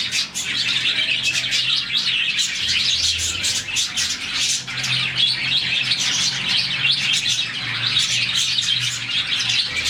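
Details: Budgerigars, about 40 in one colony, chirp in the morning as they do when happy; unbroken, lively twittering and warbled chirps from many birds layer into a continuous high chorus.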